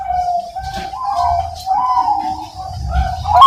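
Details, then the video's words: Captive Bangkok-type zebra dove (perkutut) bred in Pasuruan, East Java, Indonesia, hatched September 2022, offered as breeding stock and praised for a powerful voice. Steady mid-pitched cooing with wavering, rolling inflections and low background rumble. "PERKUTUT BANGKOK SUARA POWER FULL"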